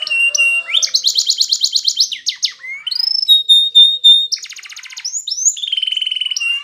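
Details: Spanish Timbrado canary song used to train a silent canary: a rapid buzzy rattle, a clear high whistle, a quick clicking trill, then sweeping slurs and a fast pulsed trill to finish.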